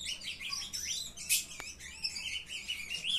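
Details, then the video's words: Recorded 23 June: captive young ultramarine grosbeaks twittering softly, with scattered high chirps and short whistled slurs, one brief sharper burst midway. "filhotada de azulão mandando ver"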